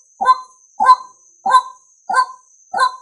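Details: Male White-breasted waterhen giving five evenly spaced, grating croaks in three seconds, a call used to lure other males, with a constant faint high tone in the background.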